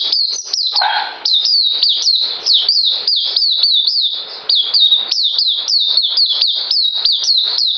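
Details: Songbird in captivity, 9 December 2018, pours out rapid high whistles that swoop downward, steady and repeated many times. A short lower burble sits near the first second.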